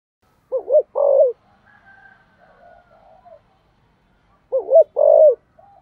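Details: Decoy spotted dove, 'thúc gù' cooing in 'giọng sấm thổ' voice; two phrases of low hoots, a quick wavering double note followed by a longer falling coo, separated by a quiet gap of about three seconds with faint soft calls.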